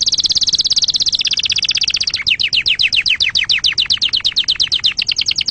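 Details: Canary singing to teach young birds and for mating: a fast buzzing trill for two seconds, then a slower series of clear, sharply falling high notes repeated about five per second.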